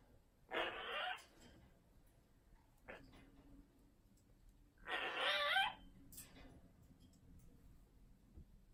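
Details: Caged pet Amazon parrot in a quiet room, two loud raspy squawks roughly four seconds apart, with a brief faint click between them.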